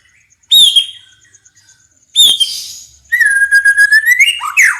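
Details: Loud song of a White-rumped shama (murai batu), used to train other birds: two sharp high whistled notes a second and a half apart, then a sustained pulsing whistle rolling into a tumbling descending flourish.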